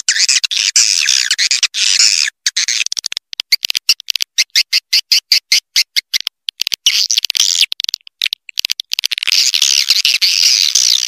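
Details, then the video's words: Swiftlet lure call used to attract swiftlets: dense, buzzy, high-pitched chattering cut into rapid bursts with brief silent gaps, steadier runs at the start and end. "Suara Panggil Walet"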